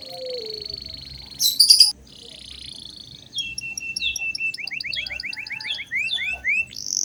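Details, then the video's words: Canary singing actively, used as a lure song to train young canaries; after a quiet start with a brief loud burst, a run of quick high rising sweeps repeats rapidly, ending in a buzzy trill. "Pancingan kenari gacor buat kenari paud"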